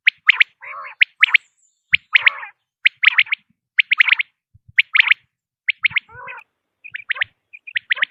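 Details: Common quail repeating bright triple whistles about once a second over eight seconds, now and then mixed with lower husky growling notes; quiet background.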